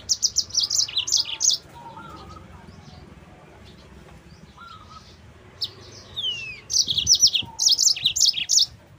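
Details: Lure song of a yellow-fronted canary for training other canaries: strings of rapid high chirps at start and end, separated by softer short notes and a sliding whistle, with background hum.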